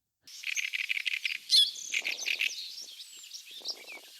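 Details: Great reed warbler (Acrocephalus arundinaceus), a rare Dutch breeder living in old reed standing in water, sings a deep, rasping song: harsh grating notes repeated several times a second, then a loud rasping phrase broken by a short high whistle.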